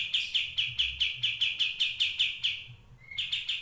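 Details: Murai batu, the white-rumped shama, repeating a single sharp whistled note about four times per second in a 'tembakan' phrase, a brief upward note, then the rapid series resumes.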